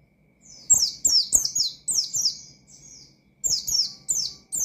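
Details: Rival-provoking ngalas song of the Oriental white-eye, called pleci: after a soft lead-in, loud high down-slurred notes follow rapidly, then a quiet phrase, then another burst of sharp falling chirps.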